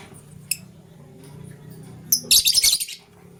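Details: Morning lovebird chirping, green and blue birds around vegetables; a single sharp squeak early on, then near the end a short, intense burst of shrill, scratchy, fast chatter.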